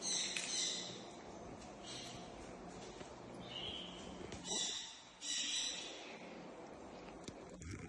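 A grey parrot gives harsh, raspy squawks in short bursts every second or two, with one softer whistled note midway, over a faint background hiss.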